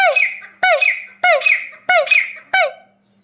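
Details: Grey partridge, known locally as desi teetar: loud, harsh, ringing notes with a bending, squeaky quality, repeated about every 0.6 seconds in five bursts, over a faint steady low hum.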